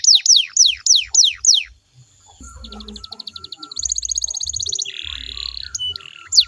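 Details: Canary song meant to make other canaries sing back: a few loud falling whistles, a quiet gap, then a soft fast trill and a buzzy rolling phrase, with low thuds throughout.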